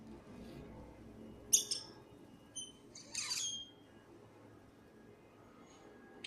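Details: A lost black bird, described as very smart, produces a sharp high chirp, a short squeak and a longer grating, buzzy squawk, then falls mostly quiet apart from a faint closing chirp.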